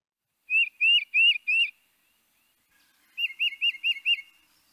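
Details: Tufted Titmouse giving its loud, carrying whistled peter-peter call: four slurred notes, a pause, then five quicker ones, all high and ringing.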